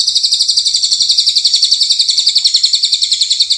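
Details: White-rumped shama, a champion bird alongside a young spotted-plumage bird, in recorded training song: a steady, high, buzzy trill of pulsed notes about four per second, unbroken for the whole stretch, with nothing else audible.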